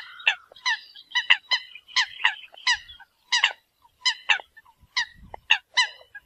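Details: Eurasian coots calling to the flock with clipped, honk-like nasal notes in loose clusters of two or three, separated by brief pauses.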